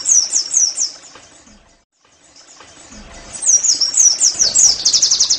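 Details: Oriental white-eye in 'nembak' style, played so caged birds sing: a few spaced high whistled notes, a quiet lull, then a rising, accelerating, shrill trill of rapid chirps.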